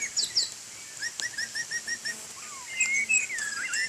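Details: White-rumped shama singing while bathing in rain: a run of six short, evenly spaced slurred notes, then higher thin whistles and a falling glide, over a steady high hiss.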